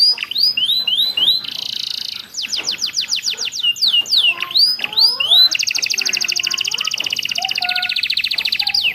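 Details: Canary master song meant for teaching captive birds, mixing ciblek and prenjak phrases: sweeping slurs, a buzzy block, a fast series of falling notes, then a long rapid, even trill to the end.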